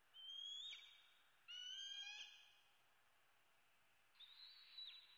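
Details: A bald eaglet in Southwest Florida, USA, screaming for food on the morning of 8 May 2016: two piercing, slightly rising whistled cries close together, then after a pause a fainter third, thin and drawn out.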